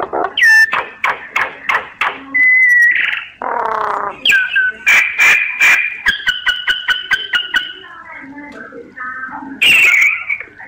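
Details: Myna singing a rich medley of sharp clicks, steady whistles, throaty warbles, repeated pulsed notes and a closing harsh rasping burst.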